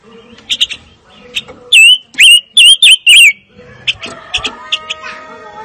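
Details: Fire-tailed myzornis singing a series of five clear, slurred whistles after a few soft high notes, followed by quieter clipped chirps and a thin steady tone in the background.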